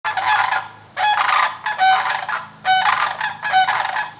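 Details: Sandhill cranes in Canada giving loud warning cries as a person approaches them; harsh, rattling, trumpeting calls in bursts about every second, with a rolling, buzzy texture, several calls overlapping, no other sounds.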